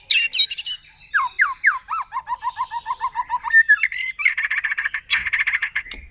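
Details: Wild shama, white-rumped, from forest, in 'nembak' song that riles other shamas: quick high chips, then down-slurred whistles and a rapid run of short repeated notes, finishing with dense chattering phrases.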